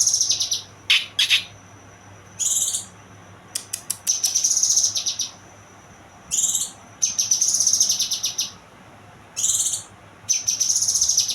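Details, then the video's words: Young kinoy bird uttering repeated high buzzy chattering phrases with brief sharp chip notes and a thin held whistle between bursts, roughly every couple of seconds. "burung kinoy muda"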